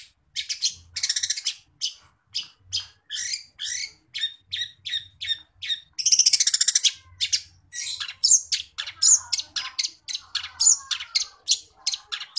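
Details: Lively long-tailed shrike song mixing in house sparrow imitation: a long string of rapid, sharp chirps and clipped tweets, repeated several times per second, with denser buzzy rattles partway through and varied squeaky notes toward the end.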